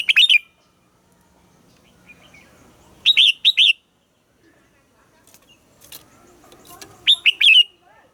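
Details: Red-whiskered bulbul singing in the morning, a recording used to train captive bulbuls: three short phrases of three or four bright warbled whistles, spaced about three to four seconds apart, with faint clicks between.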